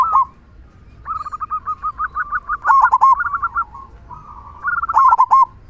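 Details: Loud local zebra dove song with a big "kung" voice, meant to provoke other doves into singing: rapid, bubbling runs of staccato cooing notes, rising into emphatic stuttered bursts and trailing off into softer coos.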